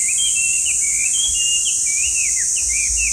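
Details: Loud whistled phrases from a Chinese hwamei: looping, swooping notes and a few held tones in quick succession, with a steady shrill background drone underneath.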